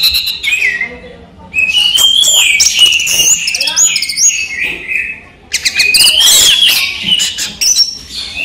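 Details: Orange-headed thrush (anis merah) in captivity singing in the daytime: two loud bursts of varied whistles and chatter separated by brief quiet gaps, the second richer and more rapid.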